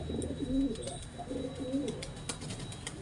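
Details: Pigeon cooing while mating, two low rolling coo phrases with a dipping, warbled shape, over hum and light clicks.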